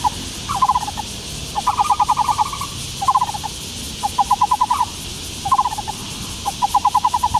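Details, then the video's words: Taiwan barbet (black-browed barbet) in Taiwan calling in rhythmic series of low, knocking pulses, about six groups of five to eight notes, roughly one group per second, against a constant hiss. "台灣擬啄木(五色鳥)的叫聲/Sound of Black-browed Barbet"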